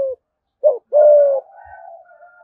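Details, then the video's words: Spotted dove from Đồng Nai, Vietnam, giving the thúc gù coo in thổ voice style: a short low note, a brief pause, then a quick rising note and a long, steady, slightly falling coo trailing off softly. "Chim cu gáy thúc gù giọng thổ bài bản nhất Đồng Nai"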